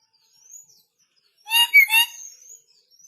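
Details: Newly arrived red lory from North Maluku, still aggressive, gives one loud raspy double screech with strong harmonics, framed by soft high whistled notes from another bird.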